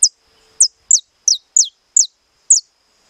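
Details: Estalado song of a saffron finch: seven loud, clipped, high notes, each dropping sharply in pitch like a whip-crack, spaced irregularly at roughly half-second gaps, with a thin steady hiss behind.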